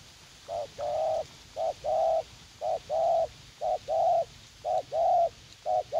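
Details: Young decoy spotted dove eager to fight, calling in a garden in U Minh: regular paired notes, a short hoot then a longer burry coo, repeating about once a second.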